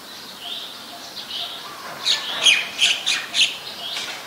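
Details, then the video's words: Ashy woodswallow, a very common resident, recorded at Ubon Ratchathani, Thailand, on 14 December 2019: soft high notes give way to a quick series of about five sharp, high chirps, over steady background hiss. "นกแอ่นพง (Ashy Woodswallow)"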